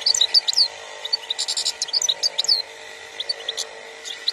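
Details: Goldfinch singing in Algeria in 2021. Dense high twittering with sharp liquid chirps about four per second, thinning to scattered notes toward the end, over a steady background hum.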